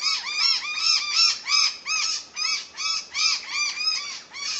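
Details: Noisy miner uttering continuous arched, ringing notes repeated a little under three per second, rising and falling in pitch with a layered, harsh tone and steady loudness throughout.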